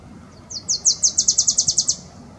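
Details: Male Wilson's Warbler singing in Strawberry Canyon, Berkeley, California, on 31 March 2022: a quick, high, chattering run of about a dozen sharp down-slurred chips, steady in pace and growing louder, over faint background hiss.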